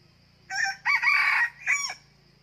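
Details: Off-season trapping of wild junglefowl at a second trap, with a new red junglefowl rooster as the decoy: one crisp crow of a short note, a long rasping phrase and a clipped descending ending, over a faint low hum.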